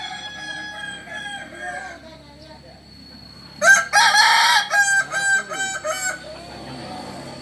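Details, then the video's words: Kukuak Balenggek rooster, a purebred Solok bird, gives a stepped crow. After a soft lead-in, loud bursts come in a broken sequence of about six short, choppy segments, then a quiet tail. "Ayam kukuak balenggek asli solok"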